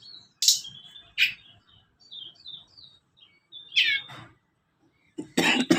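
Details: Sunda blue robin song, played as a lure to train young caught birds and adult birds: sharp chirps and short high whistled notes sliding downward, a burst of rapid twittering near the middle, ending in a loud harsh rasping burst.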